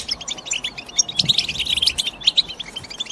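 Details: Short burst of European goldfinch chatter, with fast tinkling chirps and a few ringing clearer notes standing out above a busy twitter.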